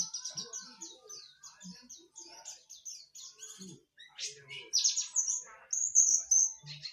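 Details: Pleci (white-eye) singing: rapid, high twittering notes repeated at a quick pace, with a few louder sweeping chirps near the end and faint low chatter beneath.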